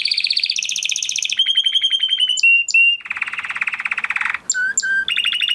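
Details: Crested Spanish Timbrado canary from 2020 breeding delivers a training song: rapid rolling trills shifting pitch, a long steady metallic roll, short clipped whistles, a low buzzy rattle and a final bright trill.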